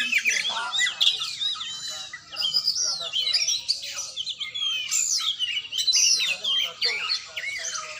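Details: Kacer training: a fast stream of clear whistled notes and sharp chirps, broken by brief pauses, some strong downslurred whistles standing out.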